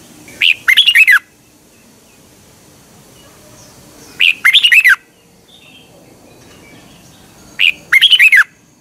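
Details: Red-whiskered bulbul from Thailand, whose song is played for thirty minutes each morning to train caged birds. Three short bright warbled phrases, each a quick note followed by a bubbling run of slurred notes, repeated roughly every three and a half seconds.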